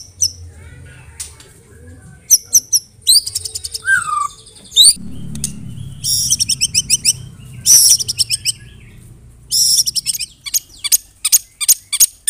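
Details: White-rumped shama delivering a loud song with canary and cililin imitations, bursts of sharp high trills and chirp series separated by pauses, over a low background hum.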